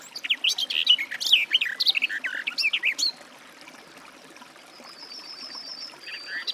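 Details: Garden warbler giving a three-second run of quick, bubbling warbled notes, then a pause in which a thin, level, high whistle of another bird is faintly heard.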